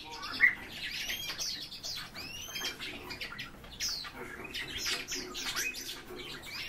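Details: Several European bee-eaters giving quick, bright, arching chirps and trills that overlap in a busy chorus, with some rustling between the calls.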